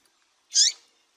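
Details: Female double-collared seedeater calling to stimulate and excite males into singing: one short, sharp, high chirp lasting about a quarter second in otherwise quiet surroundings.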